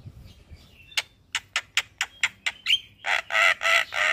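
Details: Javan myna, energetic morning singing used as a master recording for caged birds: evenly spaced dry clicks about five per second, a quick whistle, then loud grating rasping squawks.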